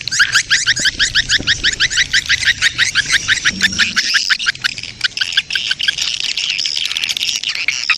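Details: Attracting sound of a swiftlet colony in breeding mood: rapid rhythmic buzzy chirps at first, then a smoother continuous twittering chorus over faint low noise.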